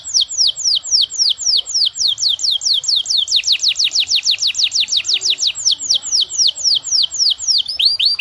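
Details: Canary singing nonstop as a lure to set other canaries singing, with a long, ornate song. Rapid downward-sweeping high whistles roll on in a steady trill, shifting pace and pitch partway through.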